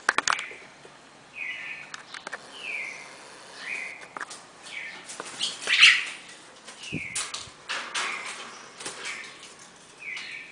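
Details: Red-crested cardinal pair singing the classic four-note Bagé song: a series of whistled downslurred notes, roughly one per second, amid wing flutters, clicks and knocking sounds.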